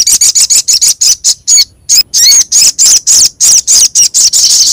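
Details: Little spiderhunter (sogok ontong) and kemade, recorded as a lure: fast, shrill high chips repeated about three times a second, with brief rising and twisting notes mixed into the run.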